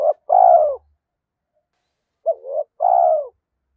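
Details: Fighting challenge call of a spotted dove, 'thổ' voice style, used to pull wild doves toward the perch. The end of one coo phrase, then after a pause a complete two-part phrase: a quick wavering note and a longer falling coo.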